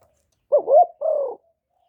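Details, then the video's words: One phrase from a spotted dove decoy bird, one-ending style: a quick warbling upslurred note, a short gap, then a smooth held coo that slowly falls in pitch. "TIẾNG CHIM CU GÁY 1 HẬU RÒNG BỔI CỰC GHÉT, CU GÁY KÍCH BỔI CỰC CHẤT, TIẾNG TIẾNG CHIM MỒI"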